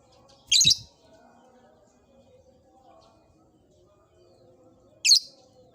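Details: Lovebird kept in an old cage gives two sharp, shrill chirps, one at the start and one near the end, with near silence and a faint low hum between them.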